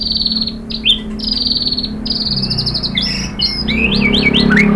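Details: White-rumped shama song for prompting captive birds to sing: long high buzzy downslurred notes, then a jumble of rapid twisting whistles and chatter growing louder, with a steady low drone beneath.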